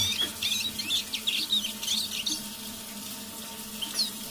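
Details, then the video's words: Eurasian siskin kept as a pet, singing under its breath in the evening: rapid high twitters and short chirps in a loose run, fading toward the end, with a steady low background hum. "Песня моего манного чижа"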